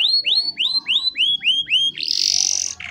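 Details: Lively canary song, long rolls with pauses, used to coax young birds into learning song: seven rising whistled slurs about four per second, then a buzzy, high sustained trill and a short lower note, with faint low background hum.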